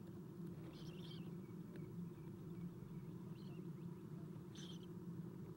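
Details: Nest-cam sound of Eastern screech owl owlets during a feeding at 7:04 am on 11 April 2016; two widely spaced harsh hissing rasps and a softer one between, over a constant low drone.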